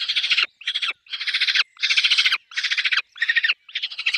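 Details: Peregrine falcon at its nest with chicks, giving loud, harsh, rasping bursts of rapid pulsed cackling, each about half a second long, separated by short pauses.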